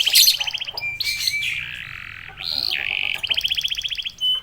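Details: Canary song for provoking other canaries: varied phrases with trills, harsh buzzy sustained notes and a flat whistle, ending in a quick trill and a short whistle.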